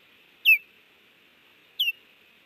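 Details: Osprey calling at its Hellgate, Montana nest on 30 June 2019, with an intruding stranger landing and another passing. Two sharp, piercing chirps slurring downward, about a second apart, over a steady hum.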